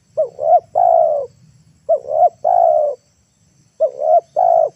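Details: Spotted dove coo used to lure wild birds down to the ground, loud and close: three phrases, each two brief bent notes and a long, steady, falling coo, about every 1.8 seconds over a low hum.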